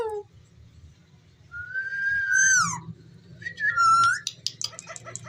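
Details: Ringneck parrot talking: a long level whistled tone that drops at the end, then a second sliding whistle followed by rapid soft clicking, over low background hum.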